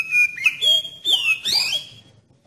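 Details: Oriental magpie-robin lure phrase for triggering song in other magpie-robins: a held high whistle, a jump to a higher steady note, then swooping slurs and a sharp rising flourish.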